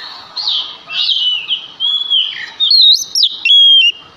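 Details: Male Oriental magpie-robin sings to provoke other magpie-robins. A soft, rough warbling leads into three or four loud ringing whistles, the last ones held and wavering slightly.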